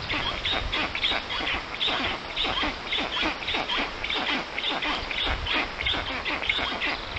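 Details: Black stork nest with young in the Puszcza Notecka forest, Poland, 14:23 on 13 June 2019, as an unknown adult visits: an unbroken, fast train of short hoarse wheezes, nearly two per second.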